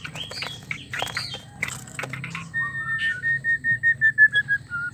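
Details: White-rumped shama, recording used to restart singing in a silent or stressed male; scratchy notes followed by a run of about eight clear repeated whistles, roughly three per second.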